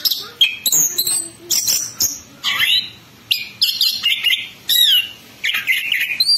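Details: Orange-headed thrush, locally anis kembang, in full ngerol ngeplong song: rapid, varied high whistled phrases, bright slurs and chips in dense bursts of about half a second, separated by brief gaps.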